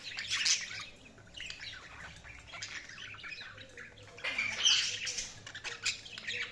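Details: Several budgerigars chattering with rapid squeaky chirps and rasping warbles, coming in louder bursts at the start and again near the end, over a faint steady hum.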